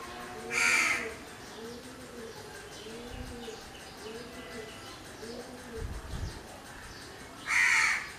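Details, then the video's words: Two loud, grating crow caws open and close the stretch, while a soft, low, repeated cooing from another bird runs steadily in between. "Crow bird sounds or noises."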